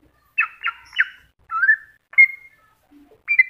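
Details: Masteran recording of a greater green leafbird: three quick harsh chirps, a slurred rising whistle, a sharp note, then a final bright whistle after a short gap.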